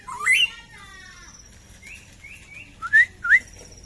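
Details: A kept black-crested bulbul sings a sharp rising whistle, then soft level notes and two loud upward-slurred whistles near the end, with faint noise underneath.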